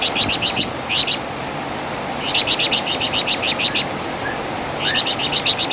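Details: Wergan Jawa, known as the flamboyan bird, with its loud song and typical rattling crecetan: bursts of rapid, high, scratchy chirps in short trains, separated by pauses of about a second, over a steady hiss.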